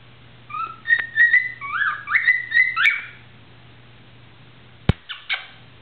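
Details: A pet cockatiel sings in the shower, whistling a short, tuneful phrase of clear rising and falling notes, followed by a few sharp knocks.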